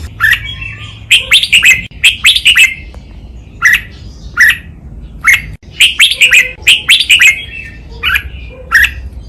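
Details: Red-whiskered bulbul song in the doubled, counted-phrase 'lak wai' style, a master recording for training birds: bright warbled phrases in quick bursts, several notes each, repeated with short gaps throughout, over a low steady hum.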